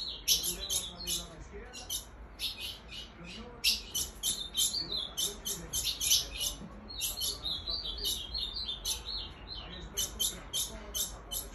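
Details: Female Ultramarine grosbeak giving the 'mãezinha' call meant to drive males wild: dense runs of thin, high chirps and twittering notes in uneven bursts, nearly continuous, with a soft low hum underneath.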